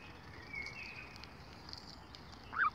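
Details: A lone gosling with no siblings, often bullied by other goose families, gives a faint, thin drawn-out whistle, then one loud, clear peep that rises and falls, over a steady hiss of background noise.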